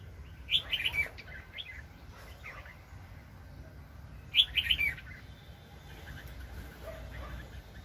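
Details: Wild red-whiskered bulbul sings two brief chirpy warbled phrases about four seconds apart, heard over constant low rumbling noise while being trapped in 2020.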